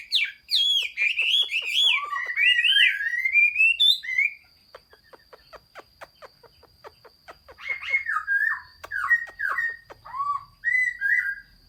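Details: Chinese hwamei singing on 15 June 2021. Long, fluid, wavering whistled phrases are followed by a pause filled with soft clicking, then renewed, repeated, dipping whistles.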